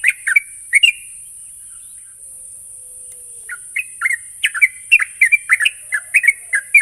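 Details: Sooty-headed bulbul used as a lure to make untrained birds sing quickly: a few chirps, a quiet pause, then a rapid, uneven string of liquid whistled notes rising and falling, over constant hiss.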